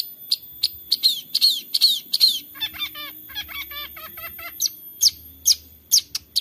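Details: Long-tailed shrike, recorded on a phone in Central Java as a lure to spur reluctant shrikes to sing, gives sharp, high, downslurred chirps about twice a second, broken by a run of lower, varied whistled notes in the middle.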